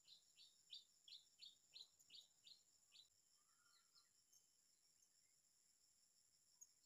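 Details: Blue-crowned hanging parrot, searched for in the wild at a new location: a quick series of about nine thin, high chirps, evenly spaced, then sparse faint notes amid insect hum and background hiss.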